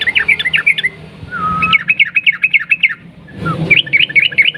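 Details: Yellow-vented bulbul singing in the long rapid 'ropel panjang' style, used as a lure recording: three bursts of quick, wavering high chirps, with a lower slurred whistle between the first two.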